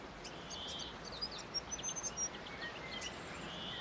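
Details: High, squeaky chirping from a grey fantail: a quick cluster of sharp thin notes in the middle, with a few faint tinny calls before and a softer buzzy note at the close, over hiss.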